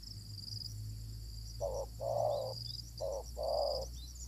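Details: Spotted dove encountered during decoy luring, a fierce wild bird, utters two short-long pairs of soft low coos over a steady low mechanical hum and high insect drone.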